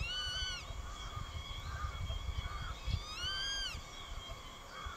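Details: Grey-faced Buzzard juvenile calling over and over at an adult, which finally chases it away: two strong, harmonic, arched whistled calls, rising then falling, with fainter softer calls between them and light wind below.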